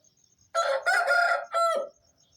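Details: A single Aseel rooster's dawn wake-up crow near 4:30 am, farm setting: a strident, buzzy cock-a-doodle in three or four joined segments, the last one falling off, with faint continuous insect chirring underneath.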